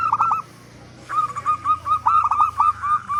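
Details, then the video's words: Loud local zebra dove, singing freely, used to prompt other doves into calling: a stuttering trilled burst, a brief pause, then a run of short level coos broken by rapid rolled notes. "Perkutut Lokal Gacor Suara Besar Pancingan Burung Perkutut Agar Cepat Bunyi"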